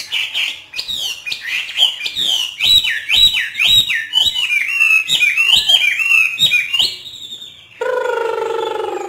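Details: Caged Hwamei kept by bird-training artisans of northern Vietnam, singing in the free 'hót thả' style: fast run of bright, slurred whistles and sharp down-sweeping notes, about two per second, then a steady low harmonic tone near the end.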